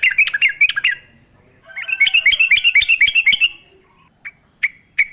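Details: Yellow-vented bulbul in full wild-style natural song, used as a lure for caged birds: a tumbling run of bubbly warbled notes, a longer rolling rising-falling phrase, then three spaced single chirps.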